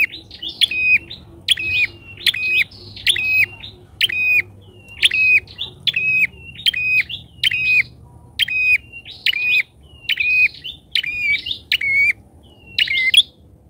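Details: Loud bar-winged prinia lure bird, whose calling keeps wild prinias from approaching. About fourteen harsh, buzzy calls run in a steady series near one per second, each opening with a sharp tick.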